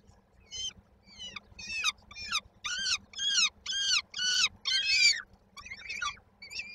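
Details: Peregrine falcon nestlings begging as they await their mother's supper, Koszalin, Poland, 19 May 2022. Rasping chip-like calls start quietly, then grow louder and more rapid, roughly two per second, before tailing off into softer notes.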